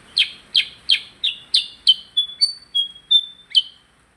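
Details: Percang bird singing busily: a brisk series of sharp, down-slurred chirps alternating with thin, level whistled notes, about three notes per second, clean and loud.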